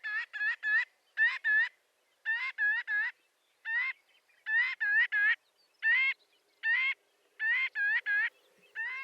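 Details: Marbled godwit (Limosa fedoa) giving loud, nasal, laughing calls in quick bursts of two to four notes, repeated about every second with short pauses between.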